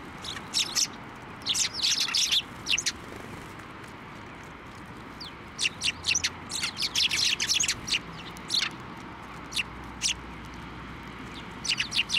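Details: Sparrows at a Tenmangu shrine on 23 November 2023, flying onto a hand to take food, give bursts of sharp high chirps in clusters with short quiet gaps between them.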